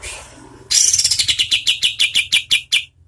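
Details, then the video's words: {'text': 'Oriental white-eye, singing at medium speed as a tutor for competition birds. It gives a brief high rising sweep, then a fast string of about a dozen sharp, bright chips that slow slightly toward the end.'} "KAPAS TEMBAK GACOR SPEED SEDANG"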